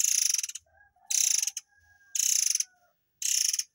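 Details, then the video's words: Tutor recording for white-rumped shamas of murai air tembakan: four dry, rapidly pulsed half-second rattles about a second apart, with thin whistles and a low soft trill in the pauses. "TEMBAKAN BURUNG AIR MANCUR / MURAI AIR"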